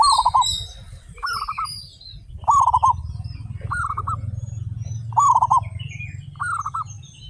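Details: Thirty-five local zebra doves singing actively with loud voices: short stuttering, trilled coo phrases repeat about every 1.3 seconds as several birds overlap. A steady low rumble runs underneath, and faint higher chirps come from other birds.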